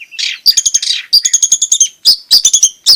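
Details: Long-tailed shrike singing vigorously, a recording meant to coax quiet shrikes into song and to train young birds: loud, high, harsh chattering notes in fast rattling bursts separated by brief pauses.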